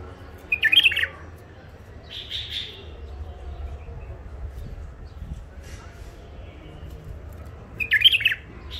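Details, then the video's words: Old wild-caught bulbul from the Mandali crossing, in its first isolation, delivers a short, jumbled warbled phrase, then a soft buzzy note, and after a long quiet gap another quick chattering phrase. "بلابل وحشيات خامات كاع منفذ مندلي لسانات روعه"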